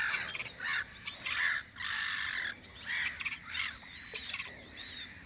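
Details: Spring seagull calls from a guard post on Audru polder: repeated harsh, drawn-out cries alternate with brief yelps, rising and falling in loudness as different birds join in.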